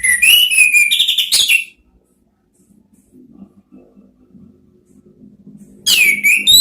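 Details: Orange-headed thrush training song: a burst of descending whistles and chatter, a long quiet stretch with faint low background murmur, then a fresh rising, sliding whistled phrase at the end.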